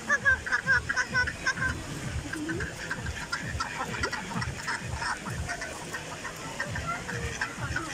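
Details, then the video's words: Ducks at a zoo pond in Pakistan, eating and swimming, quacking and chattering in a busy flock with overlapping short nasal calls at a quick pace, loudest in the first two seconds, with some background noise. "Duck Sounds Video / Sound of Ducks In Pond"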